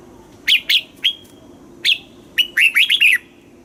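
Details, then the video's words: Caged-bird training song of a red-whiskered bulbul: a few sharp chirped notes, one drawn-out whistle, then a quick bubbling run of rising and falling notes, over a quiet background. "เสียงนกกรงหัวจุก สำหรับต่อ หรือ เปิดให้นกคึก เสียงเพราะๆ"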